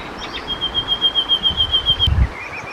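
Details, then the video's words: Common nightingale singing at night, usually hidden in a bush: one long steady high whistled note held for over a second and a half, then short lower notes, over a constant low rushing background noise. "Slavík obecný, Common Nightingale, Nachtigall, zpěv ptáků, ptačí zpěv v noci"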